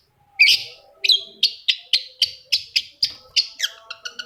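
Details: Long-tailed shrike song meant to trigger another shrike to sing; a quick series of about twelve harsh, buzzy notes, close together and fading slightly toward the end.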